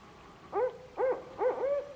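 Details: Barred owl calling back to its mate after hearing a distant call from another barred owl: three loud, arched hooting notes about half a second apart, the last one drawn out longer, against a quiet background.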